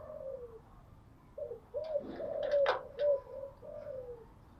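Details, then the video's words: Morning cooing of a kept spotted dove: several soft, low, slightly falling coos heard over steady background hiss, with a few sharp clicks or knocks in the middle. "Tiếng chim gáy buổi sáng"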